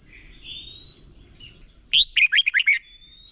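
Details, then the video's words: Competitive song of a red-whiskered bulbul, used as a lure for training: a single fast string of about six clear, bouncy whistled notes after a quiet start, with a high electronic tone running underneath. "Chào mào hót đấu"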